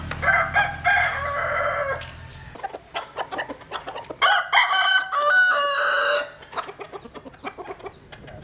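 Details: Jap Cuban bantam chickens sunbathing. Several harsh crows and clucks come in overlapping bursts, with a low hum at the start and scattered clicking throughout.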